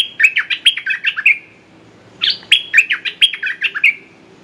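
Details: Red-whiskered bulbul acting as a decoy, calling to provoke a smart territorial wild bird; two loud phrases of rapid, bright, chattering whistles with sliding pitch, each about 1.3 seconds long and separated by a brief pause.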